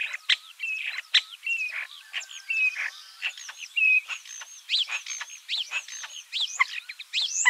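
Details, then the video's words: Dense common starling song that packs rapid clicks, crackling rattles, looping whistles and upslurred squeaks into a continuous, varied stream with barely a pause. "Обыкновенный скворец (Sturnus vulgaris) - голос"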